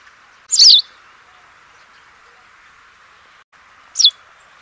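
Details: White wagtail (Motacilla alba), said to be singing: two short, sharp, high chirps, the first a little longer, about three and a half seconds apart, over a steady low hiss.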